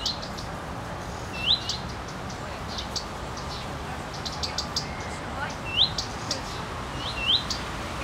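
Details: Common redstart female on a branch swaying in the wind, tail quivering, calling fyuit-tik-tik-tik: sharp upslurred whistles spaced a few seconds apart, interspersed with faint ticking notes over a constant noisy background.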